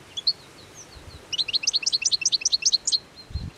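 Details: Hungry European goldfinches in the heart of winter, feeding eagerly on plane tree seed balls by the Anapodaris river on 17 January 2021; a few thin whistles, then a rapid tinkling twitter of bright, liquid chirps for about a second and a half.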